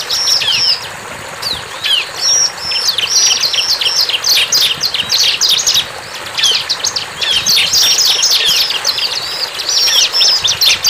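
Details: Loud, persistent song of a wild bar-winged prinia: long, dense series of rapid, high, stuttering chips. There is a short lull near the start, and the chipping continues almost unbroken to the end.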